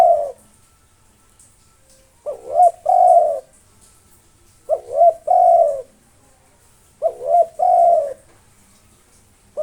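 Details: Spotted dove, a local Indonesian tekukur, singing long and nonstop to provoke rivals: low hollow cooing phrases with a short rising double note then a longer steady coo, repeated roughly every two and a half seconds.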